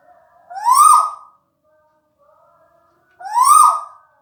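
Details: A relaxed tuwu bird calls twice with a mellow, swelling hoot that rises and drops, about two and a half seconds apart, with only faint background sound.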